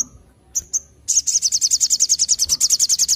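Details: Sogon, the olive-backed tailorbird, sings a gacor ngleper phrase: two or three brief high chips, then a steady, rapid volley of about twenty loud, sharp repeated notes.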